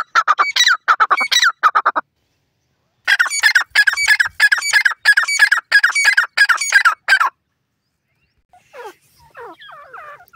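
A francolin gives loud, harsh, grating notes in rapid bursts, pausing briefly between runs, with fainter, softer calls afterwards.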